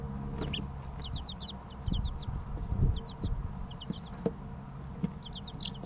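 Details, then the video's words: Several three-week-old chicks peeping in short bursts of two to four high, downward-sliding chirps, with gaps between, soft knocks and a low background drone. "Chicks Chirping Sounds 2 - Baby Chicken Sounds"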